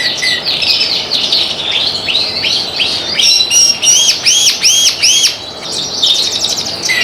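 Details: Ringed canary in full continuous song: fast chattering trills, then a series of repeated arched whistled notes at about three per second, ending in buzzy rolls, with a steady background hiss.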